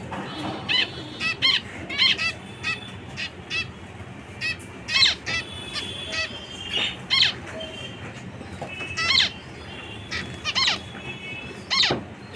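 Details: Busy series of nasal, tinny honks from zebra finches, many short calls in irregular bursts over twelve seconds, some overlapping, with a few thin higher tones between them.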